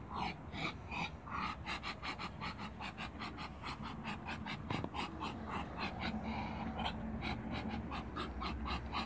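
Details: Muscovy ducks, two brother males and one female in a backyard, the males asserting dominance: breathy, puffing hisses repeated roughly once a second in an uneven rhythm over a steady low hum.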